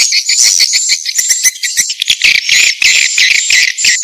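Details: Vietnamese 'janda' swiftlet lure call: fast, crowded high chirping and twittering, sharp clicks mixed with thin whistled trills, flowing continuously with brief dips.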